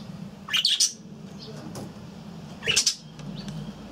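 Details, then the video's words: Aviary budgerigars give two short bursts of bright, scratchy chirping about two seconds apart, over a low steady background hum. "Papugi faliste w wolierze"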